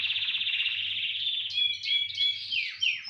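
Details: Canary chorus song: a fast, even rolling trill that shifts into varied whistled and warbled tours, high and bright, with a faint low hum behind.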